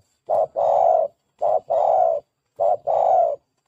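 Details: Spotted dove call used as a lure for trapping and training doves: three paired coos, a short low note then a longer drawn-out one, repeated about every 1.2 seconds, clean with no other sounds.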